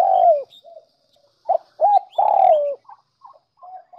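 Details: Spotted dove lure recording to attract doves: a long descending coo, soft quiet notes, then two short coos and another drawn-out falling coo, with faint twittering of small birds.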